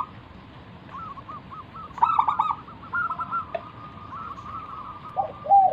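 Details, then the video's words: Local zebra dove in full 'manggung' song, used as a lure to get other doves answering: low rolling trilled coos near one pitch, with a louder burst of stuttering notes midway and more at the end. "burung perkutut lokal Gacor manggung - pancingan pikat paling Ampuh mengundang bunyi"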